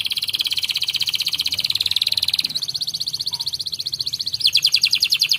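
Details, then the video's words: Canary singing gacor-style: a long, rapid, high rolling trill that changes pace and pitch twice, ending in louder, more widely spaced pulsed notes, with a soft low rumble behind it. "PUTAR SAJA JIKA INGIN KENARI ANDA GACOR!!"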